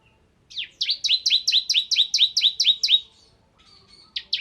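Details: Bar-winged prinia, the ciblek kristal type, singing in a prolific gacor style described as nembak ngebren: a rapid train of about a dozen sharp, downslurred chipping notes, a brief pause, then a few more notes.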